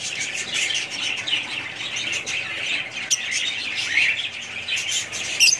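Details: Budgie chatter runs throughout, a shimmering mix of high warbles and quick chirps, with a few clicks and a sharp squeak at the very end.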